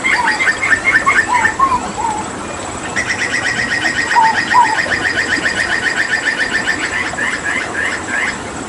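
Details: Hooded butcherbird, an endemic Papuan bird known for mimicry, singing in full voice after water therapy: a few mellow whistled notes, then a fast harsh series of buzzy repeated notes, about two and a half per second.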